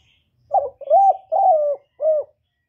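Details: Spotted dove cooing in a standard voice, a song played to lure doves when trapping and recorded without background noise: one phrase of four low hollow coos, a short note, two longer drawn-out ones, then a short closing coo, over silence.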